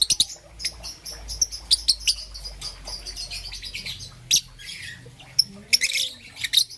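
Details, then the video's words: Young peach-faced lovebird in the morning, green and yellow: sharp high chirps and short squeaky notes in irregular bursts, some clustered, with quieter chatter between. "Lovebird's melodious chirping sound - Young Peach Face Lovebird"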